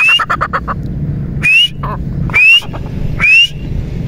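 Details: Partridge call: a burst of harsh, rapid clicking notes, then three loud, rising, whistled notes spaced about a second apart, each followed by short raspy sounds, over a low steady rumble.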